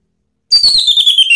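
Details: Orange-headed thrush lure song for prompting a pet bird to reply: a single clear, high whistle sliding gradually downward, broken into fast pulsing stutters.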